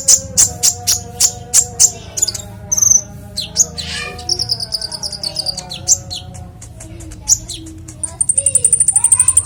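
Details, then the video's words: Konin showing its clear varied song, used to train other songbirds: a regular series of sharp high clicks, then mixed whistles and chatter, ending in a rapid high trill. "Konin bongkar isian suara jernih"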